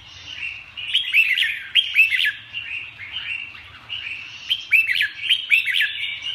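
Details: Red-whiskered bulbul song in repeated bursts of quick, bubbly whistles with crisp downward flicks, phrases returning roughly every second over a constant soft hum.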